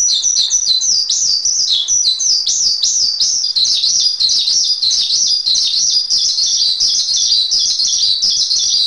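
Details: Shrill, busy chirping from a Javan pied starling masteran track: quick, high notes bounce and slur downward in a dense, unbroken stream lasting about nine seconds.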